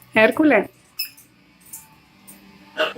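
A macaw says a harsh, nasal two-syllable word like "hello" at the start. A few soft clicks follow, then the start of another utterance.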